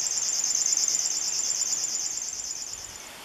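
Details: Along the Bečva river in the Czech Republic in May 2015, a river warbler delivers a steady, high-pitched sewing-machine buzz, evenly pulsed about three times a second and slowly fading.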